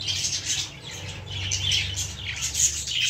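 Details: Young lovebirds in a plant make continuous shrill twittering and squawks over a steady low hum, with several birds calling at once.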